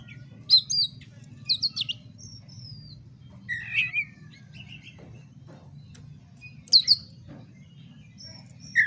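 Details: Oriental magpie-robin song to provoke fighting. Sharp high whistles, slurred chirps and a few buzzy notes come in irregular bursts over a steady low hum.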